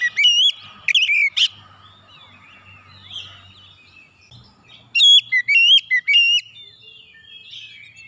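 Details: Calling Oriental magpie-robin: two groups of loud whistled notes with sharp up-and-down slides, separated by several seconds of soft chattering and faint low noise.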